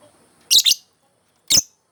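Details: Lovebird singing as a model for training other birds: a harsh, high double chirp followed a second later by one more shrill chirp.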